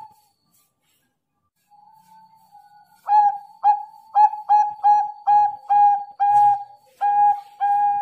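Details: Zebra dove, Bangkok type: a faint introductory coo, then a quick sequence of about a dozen clear, hollow coo notes at a steady pace, closing with two longer tones.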